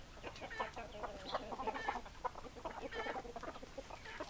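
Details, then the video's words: Flock of chickens, hens clucking and roosters among them, giving quick irregular clucks and brief squawks that overlap closely in a lively chorus. "Chicken Sounds Noises Hens Clucking Roosters Crowing"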